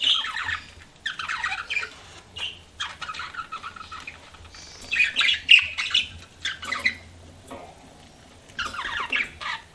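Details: Pet budgies twitter in softer bursts of rolling warbles and squawky chirps, separated by quieter stretches over a low background hum.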